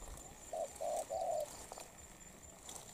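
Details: Spotted dove, a wild-caught bird that is molting, described as strong-voiced with quick, continuous cooing: a single low phrase of two short coos and a longer drawn note, then quiet with faint background hiss.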